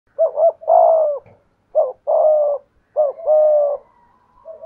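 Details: Decoy spotted dove with a prized 'thổ cục' voice style; low, mellow coos in three repeated phrases, each a short double note followed by a longer drawn-out coo, with a softer trailing note at the end.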